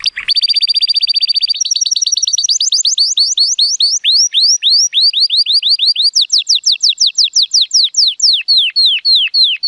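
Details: Rated at 83 points, a male Timbrado Español canary born in 2018 sings powerfully on a sunny day: a very fast metallic roll shifting into a long series of sweeping, downslurred whistled notes repeated about three per second.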